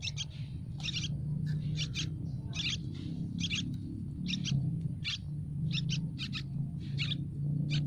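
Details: Yellow-vented bulbul chicks in a tree nest, hungry and begging for food: sharp, high chirps, mostly doubled, repeated about every half second, with a constant low background hum.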